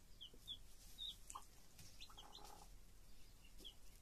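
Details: Chicks with a mother hen: thin, high, quick peeps repeat through the clip, with a soft muffled cluck in the middle, and a person speaking Spanish just afterwards.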